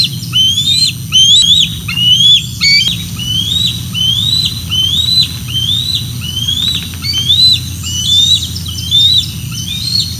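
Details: Decorah North nest, 06 12 2024: bald eagles calling as the female lands with a fish and two eaglets follow, giving a long run of short, high, upslurred whistled chirps, about one per second, with soft low background rumble.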